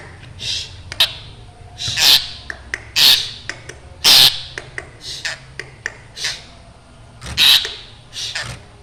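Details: Black drongo in full, chatty voice, its sound described as frightening; scattered harsh, raspy squawks mixed with short sharp clicks at an irregular pace, about ten bursts.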